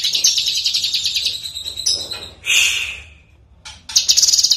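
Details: Lesser green leafbird, an owned bird recorded as a training master, delivers a fast high trill that breaks into a harsh, slurred, rasping note, a silent gap, then a renewed bright chatter.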